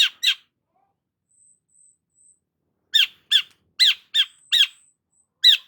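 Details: Long-tailed shrike in full voice: a series of sharp, downslurred squawking notes, mostly single and irregularly spaced, with faint thin high whistles between them.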